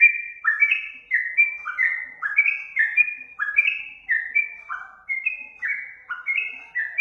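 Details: Sooty-headed bulbul lure song: steady, lively series of short liquid whistles, each swooping up and down, repeated in quick succession throughout without a break.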